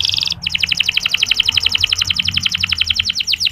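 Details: Local canary training song aimed at livening up male canaries: a brief buzzy phrase, then a long rapid trill of evenly repeated high notes, nearly four per second, over faint low background noise.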